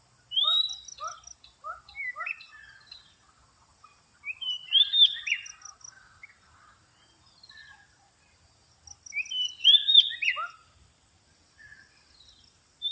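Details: Oriental magpie-robin lure song: a run of short upslurred whistles, then rich, warbled whistled phrases repeated roughly every five seconds, with a faint high hiss throughout.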